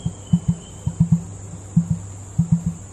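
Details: Emu at Hatley's Crocodile Adventures making deep, hollow drumming: low thudding pulses, some single and some doubled, about a dozen in three seconds, over a steady low hum.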